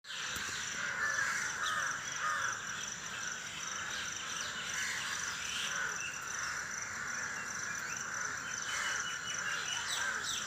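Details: Birds chirping in the early morning around 5 AM, unedited: a dense, continuous chorus of many overlapping high chirps and twitters, with steady insect-like hissing bands above and faint scattered calls throughout.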